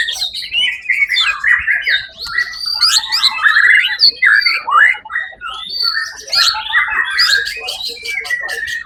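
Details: A white-rumped shama that took first place at a songbird contest on 1 October 2023 pours out a dense, fast medley of chattering, slurred and whistled notes, with a sharp rattling burst near the end.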